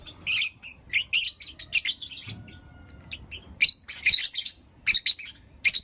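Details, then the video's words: Lovebirds, Blue Opaline and Lutino Opaline, calling in the morning with irregular clusters of shrill, clipped chirps, a softer stretch midway, then louder overlapping squeaks. "Lovebird Chirping Sounds and Call Sounds From Blue Opaline & Lutino Opaline"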